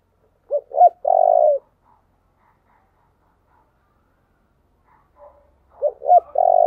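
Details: Spotted dove song meant to lure wild doves. Two short hooked coos lead into a long, even coo, and the phrase is repeated after a quiet gap of about four seconds.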